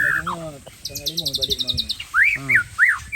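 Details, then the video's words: White-rumped shama of the Aceh type, singing its isian (fill-in phrases) near a tennis court. Harsh harmonic notes, then a quick run of high ticking notes, then loud rising-and-falling whistled slurs repeated several times. "Murai Aceh Bongkar Isian"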